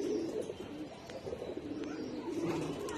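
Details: Khaki pigeon giving low, rolling coos that swell and fade over a steady background hiss, with faint scattered ticks.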